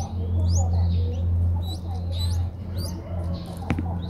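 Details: Streak-eared Bulbul nestlings, five days old, recorded on 7 April 2023 in Ubon Ratchathani, Thailand, give high, sharp, upswept squeaks in clustered bursts, loud against a constant low droning hum, with one brief knock near the end.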